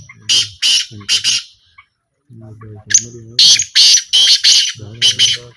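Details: Black francolin calling during a calling trial in 2025: loud, harsh, rasping bursts repeated in quick uneven phrases, with a pause midway, over a low humming voice-like background.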